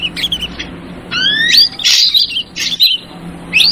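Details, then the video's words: Ashy drongo lure call, noisy yellow-vented bulbul version: a long, clear rising whistle, then harsh squawky bursts and short slurred notes, ending with a sharp upward flourish. "Suara Pikat Burung Srigunting versi Trucukan Ribut"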